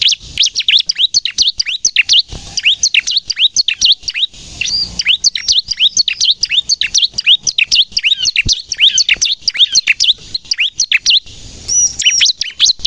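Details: Bar-winged prinia singing in the lively 'gacor nembak' style, used to lure birds and prompt untrained captive prinias to sing: a dense, unbroken stream of high, sharp chirps and down-slurred whistled notes, with brief rising trills near the end.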